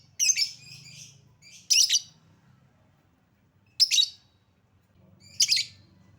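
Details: Lovebird lure recording: four separate shrill, buzzy squeal bursts, spaced one to two seconds apart, with soft low droning between them.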